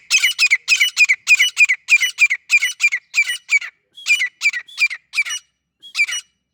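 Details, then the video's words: Partridge (teetar) uttering rapid, grating, high-pitched squawks in tight pairs and clusters. The calls thin out toward the end against a silent background. "Teetar awaz|teetar voice|Teetar sounds"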